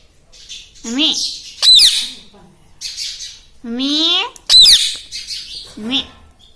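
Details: Domestic rose-ringed parakeet mimicking words like "mummy" and "mitthu mitthu"; low, buzzy, speech-like phrases alternate with two piercing high shrieks, separated by near-silent pauses.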